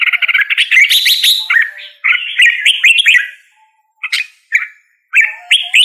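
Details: Red-whiskered bulbul giving fast chattering notes that run into rich warbled whistles, then short separate phrases split by silent gaps.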